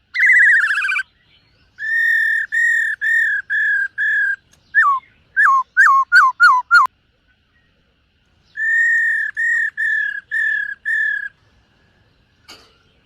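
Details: Morning voice-training song of a silver-eared laughingthrush: a quavering opening note, a series of steady whistles, quick falling notes repeated in a run, then another row of even whistles.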